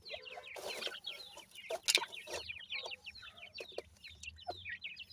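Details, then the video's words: Baby francolins with the family chatter in dense runs of sharp, downward-slurred peeps. Several brief broadband rustling bursts cut through the chorus. "baby teetar with family,pheasant baby voice"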